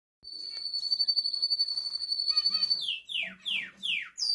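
A male red canary holds a long, high, rapidly rolled note, then switches to a quick series of bright whistles sweeping downward, about two each second.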